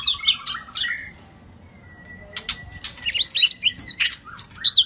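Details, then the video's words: White-rumped shama singing in the 'rít thuốc lào' (water-pipe drag) style: bursts of loud, varied whistles and buzzy high notes, a long thin steady tone through the middle, then rapid sharp warbled phrases resuming toward the end. "chòe lửa đuôi tôm hót rít thuốc lào"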